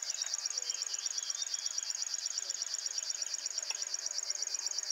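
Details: Male river warbler at RSPB Ham Wall, early morning, sings strongly: a steady, rapid, high-pitched pulsing buzz like an insect or a sewing machine, with faint notes from other birds behind it.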